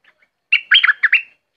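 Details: Bulbul from southern Thailand singing a single quick phrase of bubbly, warbled notes, rising and falling in a short burst, with a faint chirp before and after in a quiet background.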